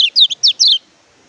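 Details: A brief phrase of Oriental white-eye (kecial kuning, pleci) song for tutoring silent birds: four loud high descending slurred chirps in under a second, then quiet.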